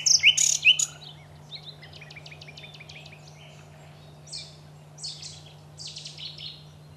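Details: Common nightingale singing at Aiguamolls park: a loud opening of harsh high notes, then a fast rattle of repeated clicks and chirps, fading to scattered softer phrases, over a steady low hum.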